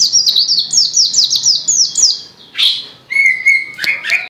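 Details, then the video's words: Vigorous white-eye song from Gresik: a quick string of high, downslurred notes, then a pause, a sharp squeak and a level, lower whistled phrase. "SUARA BURUNG PLECI GACOR"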